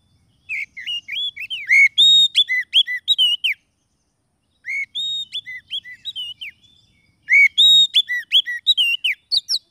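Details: Oriental magpie-robin song used as a trapping lure and to get quiet birds singing: three bright bursts of rapid whistled slurs and level notes with some chattering chirps, separated by clean pauses.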